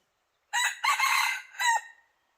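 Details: Crowing of a red junglefowl decoy set out to draw in wild junglefowl, which refused to come near: a single strident crow, a short opening note, a long rasping middle and a dropping final phrase.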